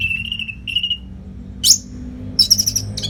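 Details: Orange-headed thrush training song for competition birds: two smooth falling whistles, a sharp upswept squeak, then a fast, rattling trill of very high notes.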